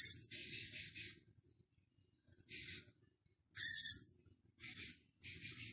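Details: A Philippine scops owl chick, six days old, kept at Prague Zoo, recorded 13 August: quiet wheezy hisses in short clusters separated by silences, with one strong, shrill screech about two-thirds through.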